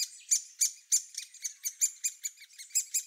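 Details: Great Spotted Woodpecker chicks calling from the nest cavity in their last days before leaving it, sharp high chirps at roughly three per second, uneven in loudness with stronger peaks every third note.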